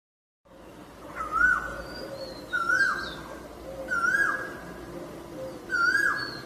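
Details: Asian koel, called koyal, giving a repeated call: clear rising whistled notes each ending in a sliding swoop, four times at intervals of about one and a half seconds, over faint background hiss.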